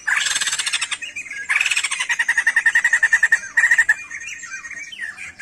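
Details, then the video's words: A sijambul songbird, singing actively, opens with coarse squawking bursts. These are followed by a fast even series of about a dozen clipped, buzzy notes on one pitch, then more rasping phrases and a brief rising whistle. "SIJAMBUL GACOR...BURUNG NYENTRIK NAN EKSOTIK"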